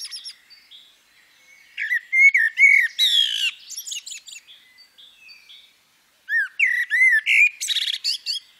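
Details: Female common blackbird with two bursts of vocalizing: rounded fluty notes mixed with scratchy, buzzy high twitters, then a short silence and another lively run of whistles and chirps.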